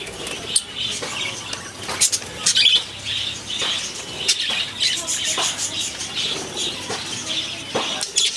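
Budgerigars chatter in quick, high chirps and scratchy warbles, with bursts of wing flutter.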